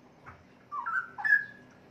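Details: An adult male Straw-headed Bulbul, about 3.5 years old, recently out of a breeding cage after losing its mate and just starting to sing again, not yet in full song, gives a brief, rich burst of two mellow, slurred whistles over faint hiss.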